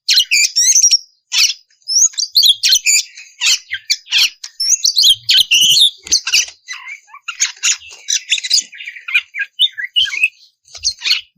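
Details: Oriental magpie-robin song played to provoke other magpie-robins to sing: continuous rapid medley of high chirps, whistled slurs and harsh scratchy notes, rarely pausing.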